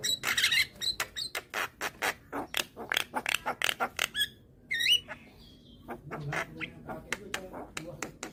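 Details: Rapid dry clicks and ticks in a long series, broken by a curving whistled phrase and more clicking, from a young white-eyed Javan myna that calls often while bobbing its head to lure hybrid mynas.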